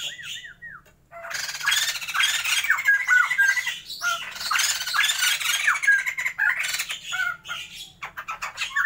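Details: Sumatran white-crested laughingthrush pair in captivity, being set up for breeding: a few looping whistled notes, a short gap, then a long sustained outburst of harsh squawks and grating chatter with interspersed pure whistles.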